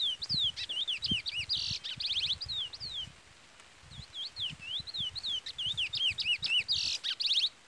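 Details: Brown-plumaged chestnut-bellied seed finch with song in the Trola style, a chick peeping throughout. Clear whistled, looping slurred notes in quick runs with short buzzy bursts and a brief pause midway, over soft low taps and rustling.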